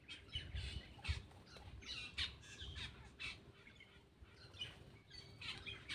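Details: A Black-winged myna calls as it eats, giving a string of short, grating, squawky notes spaced irregularly, some sharper and brighter than others, over a steady low hum.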